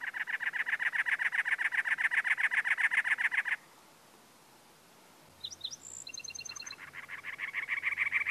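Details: Male cactus wren on territory, Anza Borrego State Park, San Diego County, California, April 2010: rapid, rasping chatter notes, a pause with a few high thin whistles from another bird, then the grating chatter resumes.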